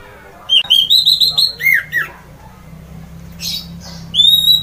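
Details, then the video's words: Orange-headed thrush (anis merah) in loud ngeplong song meant to stir other birds into singing; quick series of bright repeated whistled notes, then falling slurred phrases, a pause with a harsh burst, and a rising whistle at the end. "semua jenis burung pasti emosi dan ikut GACOR! mendengar ngeplong keras anis merah ini"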